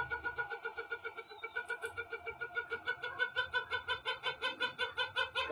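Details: White rooster crowing very long indoors: a sustained, throbbing harmonic call pulsing about twice a second for nearly six seconds, with a short laugh from a person afterwards.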